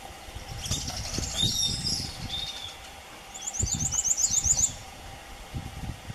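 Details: One Piratic flycatcher calling at Puerto Paraíso, Misiones, September 2015: some high squeaky notes, then a quick run of thin, very high repeated notes, with low rustling noise throughout.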